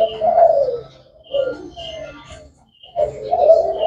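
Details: Thai black strain spotted dove, a caged bird said to coo all day, uttering soft throaty coos that fade, then resume after a short quiet gap.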